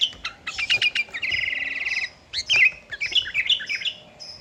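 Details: Lively sooty-headed bulbul song meant to provoke rival birds: staccato chips, then a dense buzzing trill lasting under a second, followed by tumbling whistled phrases with sharp upward and downward slurs.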